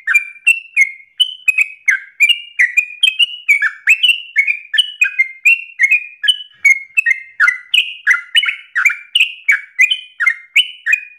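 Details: Sooty-headed bulbul in energetic, insistent 'ropel' song: a dense, rapid cascade of whistled notes climbing and dropping in pitch, barely pausing across the whole stretch, with a clear, quiet background.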